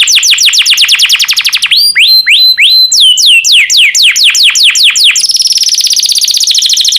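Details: Yellow canary singing: a fast trill of falling notes, then slower swooping whistles, followed by a dense high buzzing roll to the end.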